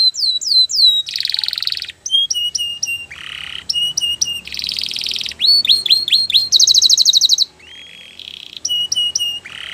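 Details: Belgian canary singing for training, a loud, varied run of rapid whistled trills, rising and falling sweeps and buzzy rattled phrases, each tour lasting under a second and changing quickly, with no other sounds behind it.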